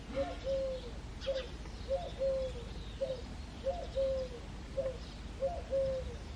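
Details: Eurasian collared dove singing in an early foggy February morning: low, soft three-part coos, a short note then a longer drawn-out one, repeated steadily about every second and a half over a quiet rural background.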